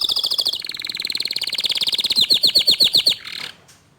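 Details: Canary singing as young and untrained birds respond to a gacor dor canary; a long, even, high trill of rapid pulses shifts into a slower series of ringing notes, then stops abruptly.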